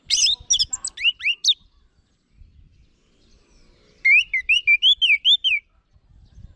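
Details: Energetic orange-headed thrush song meant to coax kept birds into answering: a tumbling burst of sharp varied notes, a quiet gap, then a rapid series of about ten wavering whistled notes.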